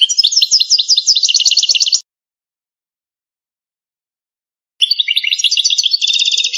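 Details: Algerian goldfinch of native stock singing campero-style: rapid repeated high twittering phrases for two seconds, a silent gap, then another quick rolling run of bright chirps.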